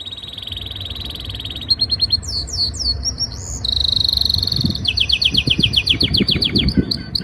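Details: A male canary in breeding season, trying to impress a female, sings loudly: a high rolling trill, then quick repeated chirps and rapid stuttering notes over faint low rumbles.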